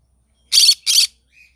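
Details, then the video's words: Green-cheeked conure in the morning giving two harsh, raspy, broadband squawks in quick succession, then a faint short whistle. "Green cheek conure singing sounds in the morning"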